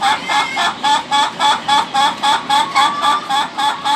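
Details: Ayam ketawa (laughing chicken) crowing in a fast, steady laughing run of short, bright, harmonic notes, about four per second, evenly spaced across the whole stretch with no other clear sounds.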